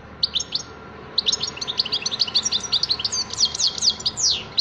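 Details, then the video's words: European goldfinch singing: a lively, continuous twittering of quick high tinkling notes and short slurred whistles, growing denser after the first second, over a quiet background. "تغريد حسون رائع"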